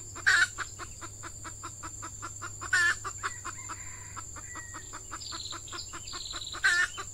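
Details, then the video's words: Red junglefowl at a trapping site in peat scrubland where an F1 hen decoy lures wild males: rapid short clucks repeated evenly, broken by three loud harsh cackling bursts, with a few thin whistled notes and steady insect drone. "Ayam Hutan Pikat Betina"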